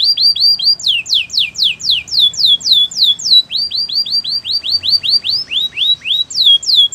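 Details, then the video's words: Training song of a canary: long, loud sequence of sharply falling whistled notes repeated several times a second, changing speed and pitch between tours. "Your canary will not stop singing with this training song"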